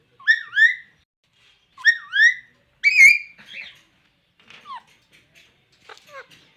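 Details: Pet pahari Alexandrine parakeet talking: three clear, rising whistled speech-like phrases about a second apart, followed by softer scattered short syllables and clicks.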